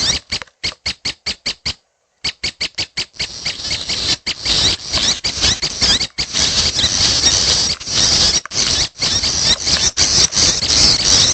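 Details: Young red-headed prenjak begging: a run of short evenly spaced rasping notes, a brief pause, then a dense, harsh, hissing chatter that runs almost without a break.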